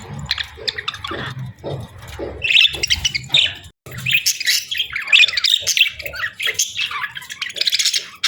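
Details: Budgies chatter and chirp, starting with softer scattered notes and swelling into loud, rapid, buzzy twittering and squawks that carry on to the end.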